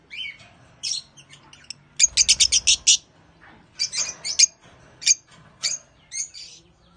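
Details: African lovebirds (Agapornis) at a breeders': loud, sharp, high chirps and shrieks come in bursts, including a rapid run of six or seven notes near two seconds, then scattered single harsh calls with quiet gaps between.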